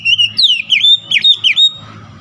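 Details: Oriental magpie-robin singing persistently with a varied song: rapid whistled notes sweeping between high and mid pitch, with slurred and rising phrases in quick succession, over faint low background hum.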